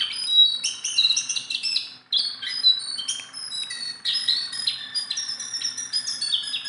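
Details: Hand-tame Sunda bulbul singing tirelessly: tight runs of high, bright chirps and steady whistled tones, one brief pause after two seconds, then dense chattering to the end.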